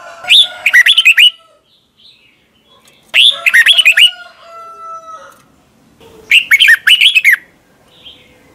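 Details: Red-whiskered bulbul from Thailand, song used to train young caged birds to copy: three loud whistled phrases about three seconds apart, each a rapid run of rising and falling chirpy notes, with faint steady tones between.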